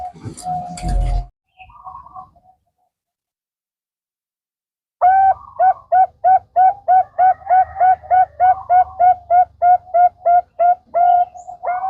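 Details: Bangkok-type zebra dove song, used as a lure to prompt other birds to sing: after a short noisy start and silence, rapid even cooing notes repeat about three per second in a long rhythmic rolling series.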